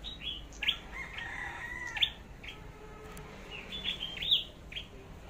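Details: Red-headed flowerpecker at Long Thành in competitive song, a decoy bird in training: scattered sharp high ticks with a few longer lower tones between them, all over faint background noise.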